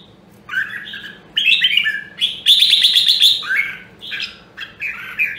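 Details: Red-whiskered bulbul from Nam Đông, Huế during voice training for fighting song. Loud, rich warbling phrases, one of them a sustained trilled burst near the middle, with a faint constant indoor hum.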